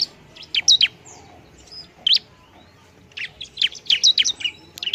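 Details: Bar-winged prinia (ciblek) giving a noisy song used to provoke rivals: spaced high chirps and a thin whistle, then a closer cluster of sharp, slurred notes.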